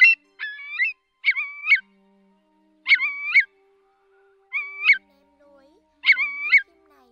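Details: Whimbrel calls on night migration in August 2024, played as a lure for night netting: short bursts of rapid, rippling whistled notes with bright overtones, each about half a second long, repeated every one to two seconds over a faint low hum.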